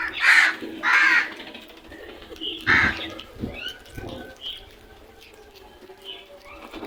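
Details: Crows calling loudly: two harsh caws in quick succession, a third after a pause, then fainter scattered calls and light background noise.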